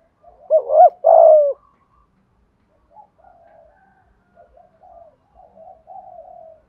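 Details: Spotted dove in the 'giọng Thổ' style, used to entice wild doves; one loud hooting phrase ending in a long coo, followed by softer, more distant cooing.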